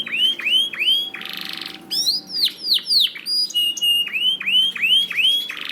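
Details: Canary song for training other canaries: looping downslurred whistles repeated about three per second, a buzzy roll, more swooping notes and a held whistle, loud and high.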